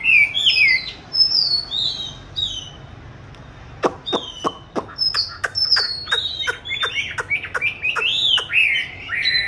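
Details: Oriental magpie-robin kept in a cage since 29 July 2020, filmed 22 March 2021 while hung for song training. Whistled phrases open the recording, then a pause broken by sharp clicks, and varied rising whistles return.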